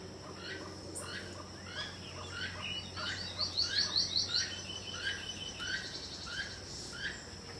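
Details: Keel-billed Toucan, Belize's national bird, heard in the background on a tropical jungle farm in Belize, giving short, croaking notes repeated about twice a second, with other birds chirping and a brief high trill behind.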